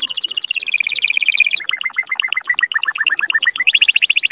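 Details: Canary song used to stimulate males and bring females into breeding: high tonal rolls hold steady, then switch to quick bright chopped notes and end on a fast high trill.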